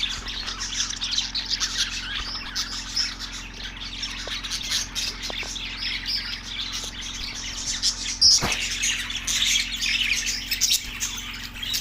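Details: Budgerigars recorded on March 14, 2024 in Larkana, Sindh: a dense, continuous chatter of many high twittering and scratchy chirps, with a faint steady hum underneath and one sharp click near the eighth second.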